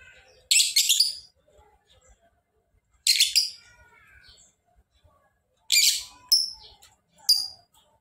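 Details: Lovebird giving three short harsh chattering bursts a few seconds apart, each followed by sharp high squeaks, in a quiet setting.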